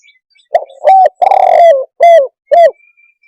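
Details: Close spotted dove cooing: soft lead-in note, a hollow coo, a long burred croon, then two crisp downward-curving coos, each about half a second apart; faint thin background whistle.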